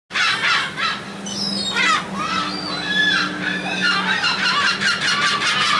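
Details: A flock of gulls being fed on board a ferry from the Dutch island of Texel, 28 March 2014: a dense, continuous chorus of harsh, overlapping squealing cries with a low steady engine hum beneath.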